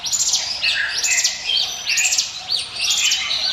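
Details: Mountain prinia (ciblek gunung) singing the 'ngiwit wit' style used as a lure: fast runs of high, arched chirps repeated about once a second, with lower whistled notes between them.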